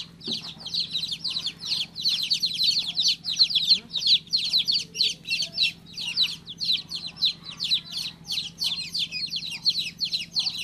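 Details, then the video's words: Baby chicken chick giving a long run of loud, high, down-slurred peeps in regular pulses, with a soft low hum behind. "Cutest baby chick chirping sound"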